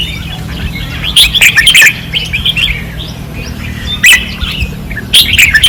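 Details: A fierce 2024 training-perch session of caged red-whiskered bulbuls. Loud clipped warbled phrases come in three bursts with quieter chatter between, over a low background hum.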